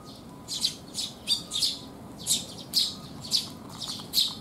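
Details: Sparrows visiting to be fed at a rainy-day resting place, 19 June 2021; a lively string of harsh, buzzy chirps, several per second, from close birds.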